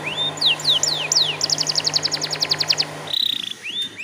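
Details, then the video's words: Lure song of a canary for prompting other canaries to sing: several swooping downslurred whistles, then a quick even trill of about fifteen notes, a buzzy roll and a final rising whistle over a background hum. "PANCINGAN KENARI BAHAN TERBARU"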